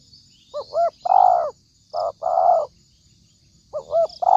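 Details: Spotted dove call used as a lure for trapping: low, hoarse cooing phrases, each with two short rising notes and then a longer drawn-out coo, repeated about every two seconds, with the next phrase starting just before the end.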